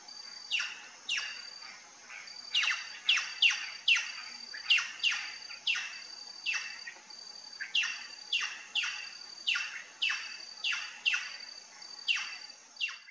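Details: Plush-crested jay at a feeder giving a long series of harsh, downward-sweeping calls, about twenty in thirteen seconds, some in quick pairs, over a steady high-pitched whine in the background.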